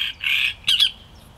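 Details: Great reed warbler song fragment: a short burst of harsh, rasping croaks in two grating phrases, loud and coarse, over a quiet background.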